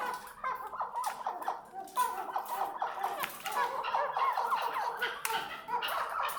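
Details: Chukar partridge of the Maskati type uttering rapid runs of short clucking chuk notes, mid-pitched and repeated many times a second, with other birds joining and soft clattering noise behind.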